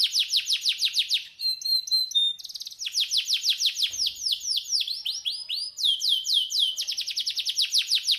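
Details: Canary master song used to coax birds into singing: long varied sequence of rapid descending sweeps, a pure whistle and fine trills, slower looping notes midway, then fast rolling phrases again.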